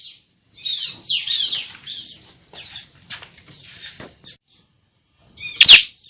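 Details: Juvenile bar-winged prinia, used to attract other prinias: mostly soft scratchy twittering and faint ticks, ending in a single loud, steeply falling chirp, with a steady thin high tone throughout.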